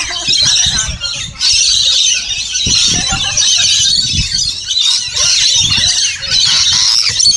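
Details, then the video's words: Rainbow lorikeets at feeding time in a caravan and bungalow park at Burrill Lake on the South Coast of Australia; a dense, continuous chorus of shrill screeching and squawking from many birds, with low thumps and bumps underneath. "Rainbow lorikeets at Burrill Lake"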